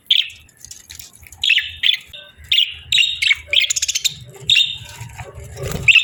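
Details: Pet budgies chirping cheerfully: a steady run of short, rasping chirps and warbled notes roughly every half second, some quick clicking chatter in the middle, over a faint low hum.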